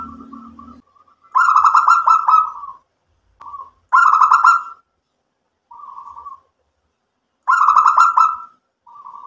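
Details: Local zebra dove singing its mbekur song to rouse other doves into replying: three loud rolling pulsed coo phrases at regular intervals, separated by short soft single coos.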